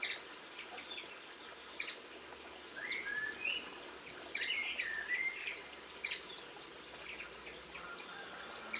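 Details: Linnet, 22 March 2016, singing a rambling twittery song: rapid high clicks and chirps interspersed with slurred, rising-and-falling warbled notes, continuing almost without break over a quiet rural background.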